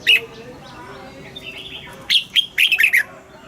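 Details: Red-whiskered bulbul morning song with wild-type double notes, recorded to train caged birds: a short warbled note, soft background chirping, then a quick string of loud, rich whistled notes near the end.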